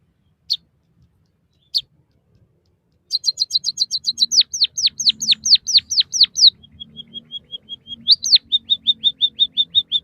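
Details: White-headed munia song for training caged birds: two isolated high notes, then a burst of rapid chips, a series of falling whistled slurs, soft piping, and a closing row of short notes.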